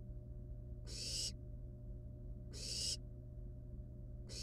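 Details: Wild barn owl nestlings with a live rat at the nest: two full harsh, breathy hissing bursts about 1.6 seconds apart and the start of a third, over a constant low electrical hum.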